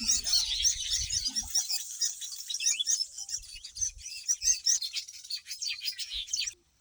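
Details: Weavers of the black-winged kind building nests on a homestead, yellow and black birds at work: busy high, harsh chirping and squeaky chatter rising and falling, with brief low thumps, ending abruptly.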